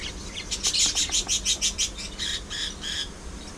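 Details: Kept budgies, parakeets filmed playing, squabbling and grooming, give a run of bright, sharp chirps, about three per second, evenly spaced at first and then looser, over a quiet low hum.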